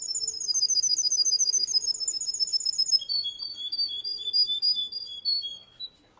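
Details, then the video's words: Male Russian canary sings a fast, bright rolling trill for three seconds, then switches to a slower string of clear whistled notes that gradually descend before fading out. "Russian canery male singing"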